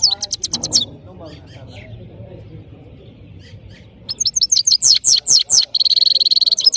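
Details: Parachinar saira, a European goldfinch, singing: a short twittering opening, a quiet gap, then a lively stream of high chirps and slurred notes ending in a steady buzzy trill.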